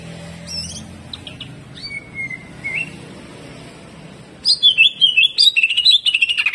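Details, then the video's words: Greater green leafbird in jamtrok song: a few scattered thin whistles and a short slurred note over quiet background, then a dense burst of rapid buzzy, wavering notes at the end. "CUCAK IJO GACOR HYPER TEMBAKAN KASAR"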